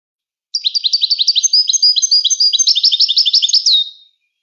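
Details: Moroccan goldfinch singing a continuous high twittering phrase of about three and a half seconds, with rapid bright notes layered into buzzy trills, ending on a clear downslurred whistle, with a silent background.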